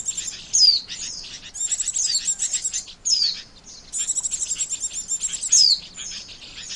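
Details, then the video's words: Oriental white-eye call used as a lure for trapping birds: high thin chirps in rapid trilled bursts, each burst with a sharp descending whistle, bursts repeated every second or so. "SUARA PIKAT BURUNG PLECI"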